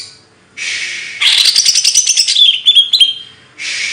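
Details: After a hissing buzz, a bird gives a fast run of chattering notes ending in bright whistled slurs, then the buzz returns.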